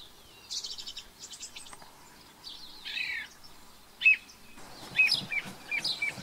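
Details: Thrush, an introduced species in New Zealand, sings a varied series of loud phrases: quick buzzy trilled notes, a clear chirp, then bright whistled notes repeated several times, with faint background noise.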